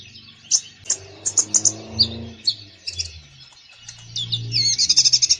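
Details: Konin bird singing in full voice: sharp high notes spaced about half a second apart, then a dense rapid trill, with low humming noise in the background.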